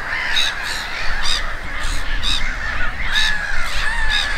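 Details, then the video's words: Gulls calling at Konstancin-Jeziorna: harsh, nasal cries with ringing overtones, repeated roughly every half second, some overlapping, over a steady low rumble of background noise. "GŁOS MEWY-THE VOICE OF THE SEAGULL"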